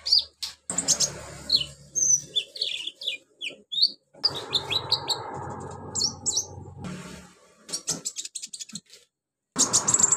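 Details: Busy high-pitched medley from a Van Hasselt's sunbird mimicking crickets, golden grasshopper, chicks and cililin; scattered thin whistles, rapid chips and dry ticking trills over a rough background rustle, with brief silences.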